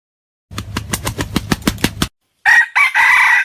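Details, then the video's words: Junglefowl in the wild giving a quick run of about nine low clucks, then after a brief gap a raspy crow in three parts, the last held longest. "The sound of wild chickens"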